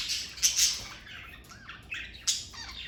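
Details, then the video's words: Parakeets kept as a family of pets: harsh buzzy squawks and scratchy chirps, with short bursts and a few sliding notes, in a quiet indoor setting. "Birds Chirping Sound Effect!"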